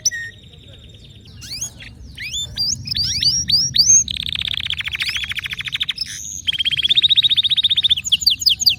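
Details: Canary singing, starting softly and then building into quick sliding notes, a long rapid rattling trill and a higher rolling tour near the end.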